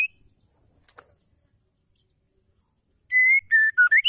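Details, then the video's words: Female white-rumped shama used to spark singing in males: quiet clicks and a short silence, then loud, pure whistles begin, a flat tone followed by lower notes dipping before a rise, cut off at the end. "PANCINGAN PENGGACOR MURAI AMPUH TOKCER"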